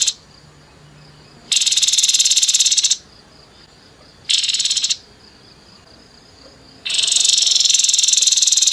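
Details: Grey-headed babbler in rough 'nembak kasar' song: three loud grating, buzzy rattles of one to two seconds, separated by quiet spells carrying a thin high tone.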